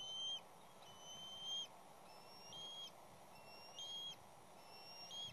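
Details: Bald eagles at a nest with chicks and parents as an intruding third juvenile causes havoc: thin, high whistled notes, some rising at the end, repeated about once a second over a steady background hiss.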